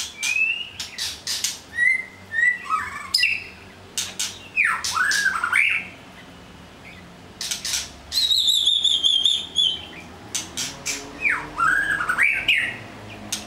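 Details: Varied white-rumped shama song with sharp clicks, short whistles, and arching slurred phrases, a long high steady whistle in the middle, and a brief quiet pause.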